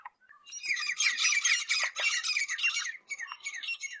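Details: Grey Francolins in India in territorial defence: a loud, harsh, grating chatter of rapid squawky notes for about three seconds, breaking into shorter bursts.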